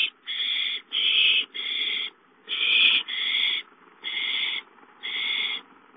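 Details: Owl nest with a gopher just delivered: seven loud, noisy screeching hisses, each roughly half a second, delivered in irregular clusters with brief pauses.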